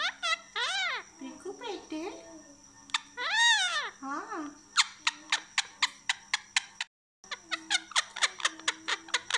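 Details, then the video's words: Indian ringneck parakeet, a pet talking parrot, voicing harmonic, arching, speech-like sounds, then a fast run of sharp clicked chirps about four per second. A short break follows, then more chirps. "indian ringneck talking parrot"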